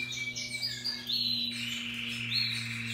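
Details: Russian yellow and Timbrado canaries singing happily: high twittering notes, then from midway a louder sustained rolling trill with slight pitch shifts, over a constant low hum.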